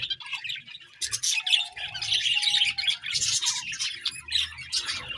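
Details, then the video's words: Chirping from paired budgerigars: a continuous busy warble of scratchy high chirps, with two brief level tones underneath and a faint low rumble. "𝑪𝒖𝒕𝒆 𝑩𝒖𝒅𝒈𝒊𝒆 𝑷𝒂𝒊𝒓𝒔 𝑪𝒉𝒊𝒓𝒑𝒊𝒏𝒈 𝑺𝒐𝒖𝒏𝒅𝒔"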